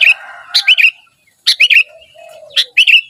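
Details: Kutilang, the sooty-headed bulbul, singing steadily: three phrases of quick, bubbly, whistled notes with short rising inflections, each phrase about half a second long, spaced by brief gaps with a faint low downslurred note.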